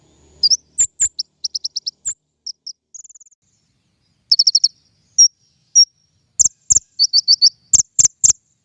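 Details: Lure song of a king konin for bird trapping, made of high sharp chirps in fast repeated bursts, short whistled slurs and a brief trill, broken by loud clicking knocks near the end.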